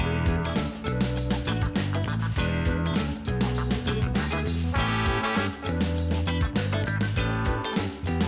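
Steady plucked-guitar music with a strong beat throughout, and no animal voices heard.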